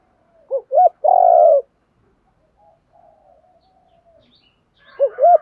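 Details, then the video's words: Spotted dove cooing meant to lure wild doves; a single phrase of two short coos and a long steady note, then near silence with faint murmurs, and two more coos at the close. "Tiếng chim cu gáy kích bổi mới [ tiếng THÚC, GÁY GỌI, GÙ ĐẤU ]"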